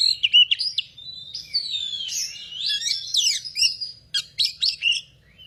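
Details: Oriental magpie-robin in full song, a rapid run of sweeping whistles, rising and falling slurs and scratchy notes, ending in a series of clipped bursts.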